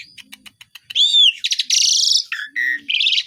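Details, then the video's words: Asian pied starling in lively mimicking song: soft clicks, then a bright arched whistle, a long buzzy rattle, a dropping harsh note and a short trill. "JALAK SUREN GACOR BESETAN ISIAN"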